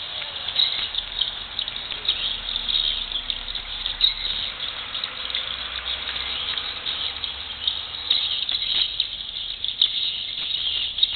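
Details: A dense, steady chorus of high, thin chirps and twitters from many swiftlets at once at a swiftlet bird house in Malacca, with soft scratchy background noise.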